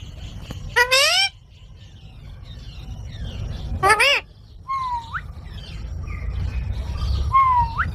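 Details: Parrot sounds: two loud, harsh squawks about three seconds apart, then two short whistled notes that slide upward, over a steady low rumble of background noise.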